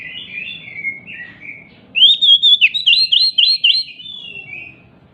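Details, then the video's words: Lure song of an emotional, leaping Oriental magpie-robin, meant to get silent magpie-robins singing: soft warbling at first, then a loud run of rapid, looping whistled notes, closing with quieter slurred whistles. "Pancingan Kacer MACET BUNYI, dengan Kacer EMOSI LONCAT INI, dijamin NYAUT GACOR KACERNYA"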